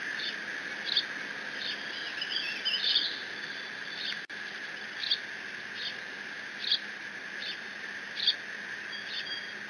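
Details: Decorah bald eagle nestling on a live nest camera, 30 June 2017, guarding a fish its father delivered; a long run of thin, high squeeing notes, one every second or so, with a steady hum throughout.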